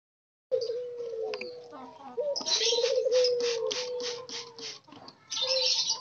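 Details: Wild-caught spotted doves kept caged together as a group under daily care to get them calling: soft, low cooing notes glide slowly downward, partly overlapped by a steady stream of bright, high chirps from other birds.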